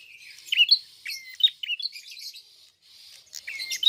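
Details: Red-fronted prinia singing continuously: sharp high chips, short flat whistles and scratchy twittering runs, with a brief gap before a final burst of notes.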